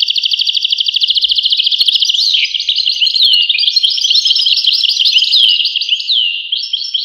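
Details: Goldfinch song opening with a fast buzzy trill of evenly repeated high notes, then breaking into a varied, rolling twitter of slurred, rising and falling tinkling phrases without pause.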